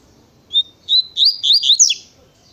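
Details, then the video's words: Double-collared seedeater singing a quick natureza tui-tui phrase. A clear whistle is followed by four or five loud, slurred, buzzy notes in quick succession, ending in a sharp downward sweep, against quiet surroundings. "Coleiro Natureza Tui Tui Pensa Num Coleiro Rapido"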